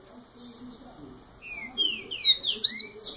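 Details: First-year double-collared seedeater, a young male-style singer, delivering a rising string of whistled slurs that grows louder and higher, finishing in quick, sharp descending sweeps and a downslurred note.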